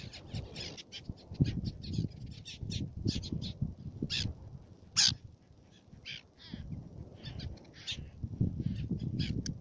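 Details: At Fares in Baa Atoll, Maldives, a black-naped tern gives many short, sharp, high chips in rapid sequences, with one louder burst near the middle, over a persistent low wind rumble.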